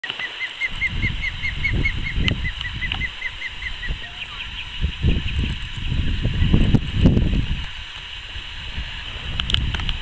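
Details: Osprey calling from its nest on Robinson's Island, Prince Edward Island, in July 2016. A quick run of short, clear whistled chirps fills the first few seconds and then fades. A few faint chirps follow later over steady wind rumble.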